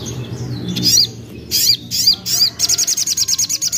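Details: Young common iora, sung as a lure to make other birds sing: high arched whistled notes repeated a few times, then a fast even run of about a dozen sharp chips in the last second and a half.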